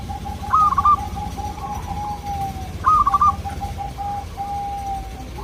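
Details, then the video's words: Local zebra dove song, played to lure local doves into answering: two bright, rolling, stuttered coo phrases about two seconds apart. Softer, steady repeated coo notes run underneath from other doves. "Sudah di buktikan dengan suara ini, burung perkutut lokal langsung nyaut jadi rame"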